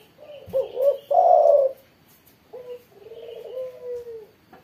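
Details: Spotted dove singing steadily after being set out in the morning sun, Indonesia. The bird gives low, hoarse cooing phrases: short notes rising into a long, drawn-out coo, then a second, flatter, longer coo after a brief pause.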